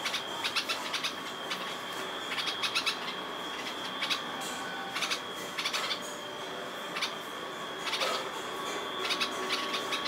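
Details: A family of red-vented bulbuls eating banana at breakfast, as daily visitors, gives short, sharp chirps in small clusters every second or so, over a steady high-pitched background whine.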